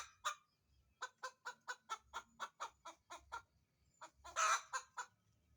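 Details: Chicken busy looking for somewhere to lay her egg, giving one early cluck, then an even series of clipped clucks, a short pause, and a loud rasping squawk followed by more quick clucks.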